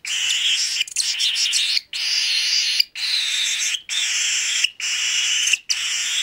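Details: Begging three-week-old hand-fed baby cockatiel: loud scratchy, wheezing calls in a steady run, each close to a second long, broken by short silent gaps, with a few squeakier notes near the start.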